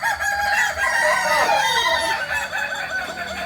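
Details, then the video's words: Several Kokok Balenggek roosters at a crowing practice in Amko, Solok city, crowing over one another in a dense, overlapping chorus of wavering, descending syllables. "Latberan ayam kukuak balenggek"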